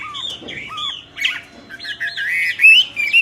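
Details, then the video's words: Common hill myna in strong song, giving a varied run of gliding whistles, rising and falling slurred notes and a harsh squawk, ending in loud sharp whistled phrases. "طائر المينا يغرد بقوة"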